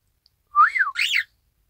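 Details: Pet Isabel pearl cockatiel imitating a whistled 'ppoiyo', 1 December 2018: a single two-part phrase, one smooth arched whistle followed by a brighter, buzzier arch.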